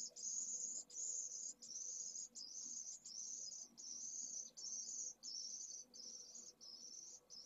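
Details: Newly hatched pallid swift chick from a second clutch demanding food at a nest in Jerez de la Frontera. A steady string of high, rasping hiss-like notes, each under a second long, repeated about 80 times a minute.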